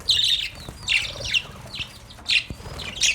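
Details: Playful caged budgerigars give loud bursts of shrill chirps in separate clusters, with faint wing flutter and soft clicks between them.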